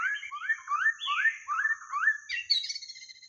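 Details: White-rumped shama singing, a recording meant to lure the birds: a continuous run of clear, fluting whistles that slur upward and downward, ending in higher, brighter notes.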